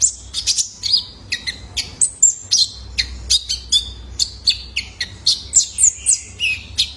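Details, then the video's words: Young male ruby-cheeked sunbird, captive, calling to draw song from other caged birds: a long, steady series of sharp, high chips and slurred notes, several each second, with no pause. "PANCINGAN KONIN BAHAN IKUT GACOR !! COCOK BUAT TERAPI KOLIBRI NINJA - SUARA ANAKAN JANTAN!!"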